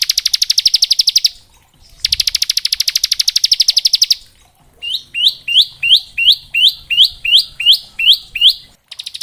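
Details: Bar-winged prinia song in the varied ngebren style, played to teach young prinias: two long fast buzzy high trills, then a run of about eleven upslurred whistled notes repeated twice a second.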